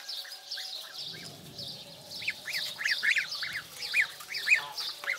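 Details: Twenty-two-day-old African geese goslings calling during feeding: a run of short, upswept peeps, quickening and louder in the second half, over a steady high hiss and a faint low rumble early on.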